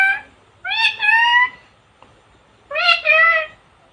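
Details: Female talking parrot kept as a pet in India: two clear two-syllable speech-like phrases with strong harmonics, the second syllable held level and slightly falling, separated by about a second of near silence indoors.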